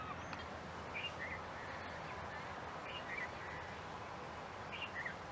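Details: White-eared bulbul in a park in Dubai giving short, liquid two-note calls about every two seconds over steady background hiss.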